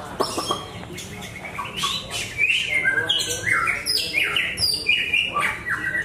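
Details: Caged Javan white-rumped shama of the larwo type at a singing contest: loud whistled phrases, sliding up and down in quick bursts, with brief sharp notes in between and crowd noise faint underneath.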